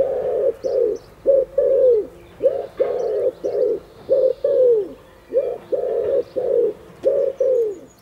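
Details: Courting wood pigeon calling to its female: low, muffled coos in tight groups, several notes dropping slightly at the end, repeated about twenty times a minute in an irregular rhythm, with a quiet background.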